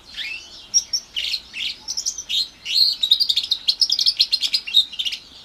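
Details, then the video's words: House finch crossed with a canary, a young orange/brown bird of about four months, warbling varied slurred phrases before breaking into a fast, steady series of tweeted notes. "Housefinch mule / Housfinch x Canary Kenari"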